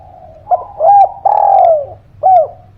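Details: Energetic spotted dove calling, used to coax quiet birds into song: a brief clipped note, a rounded coo, a long loud coo falling in pitch, then one more short coo, clear and close.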